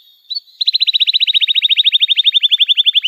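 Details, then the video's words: Canary, recorded to teach young birds to sing: one short upward chirp, then a steady, even trill of about two dozen bright repeated notes carrying through to the end. "Kenari Gacor Panjang Cuit Cuit Emosi, Pancingan Kenari Paud Belajar Bunyi"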